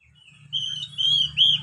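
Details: Brief stretch of Oriental magpie-robin song meant to train beginner caged birds: a few sustained, slightly wavering whistles rising at the end, above a constant low hum.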